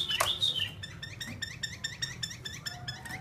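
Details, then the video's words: Chinese hwamei, a captive fighting bird kept for sale, opens with a sharp whistled note, then settles into rhythmic repeated short upslurred notes. "Họa mi chiến"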